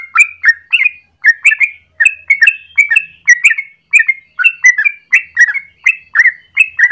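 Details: A yellow-vented bulbul delivers its long 'gacor ropel' morning song, used to lure or train birds. Paired liquid whistles sweep up and down in a brisk, nearly continuous series with tiny pauses between bursts.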